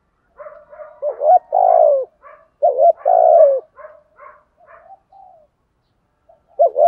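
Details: Decoy spotted dove calling in the morning to lure wild doves, in the thúc gù and gáy gọi styles. Two long, low, smooth coos with hooked starts, joined by short soft chuckling notes, then a rising coo at the end.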